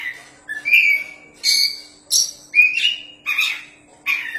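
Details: A champion kacer, the Oriental magpie-robin, gives loud whistled phrases roughly every second, each a clear whistle merged with a burry, buzzy overtone, some notes rising; faint hum underneath.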